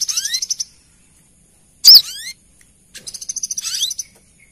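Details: Female brown-throated sunbird calling the male, used as a lure sound for small birds: rapid series of sharp, very high chirps, a single loud note with descending slurred tails, then another quick rippling series of high ticking notes.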